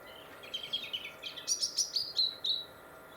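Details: Winter song of a European robin in rural Warwickshire, Britain: a soft, high warbling phrase breaking into a quick run of about six bright, descending piercing notes, clear over faint steady noise.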